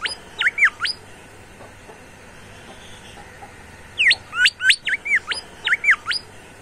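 Bimoli bird singing bursts of quick, sweeping whistles, sharp up- and down-slurred notes in fast clusters, separated by a few seconds of quiet.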